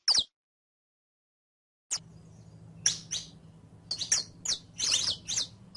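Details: Saffron finch on a training recording for a caged songbird: one sharp note, a silent gap, then a quickening cluster of high chirps and twitters over low hum.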